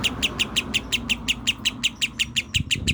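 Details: Lovebird in a fast, even series of bright, clipped chirps, about sixteen in three seconds, each a sharp high tick, with a low hum underneath and a few soft thumps near the end.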